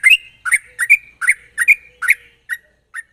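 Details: Sooty-headed bulbul in rapid, sharp chattering song used as a lure to get untrained bulbuls singing quickly: short bubbly, slurred whistled notes in bursts about every half second, some with a drawn-out tail.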